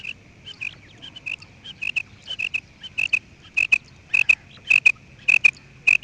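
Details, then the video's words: Quail giving a steady series of short, clear, high piping notes, often in close pairs, repeated quickly for six seconds over a faint low hum. "New and nice sound of quail"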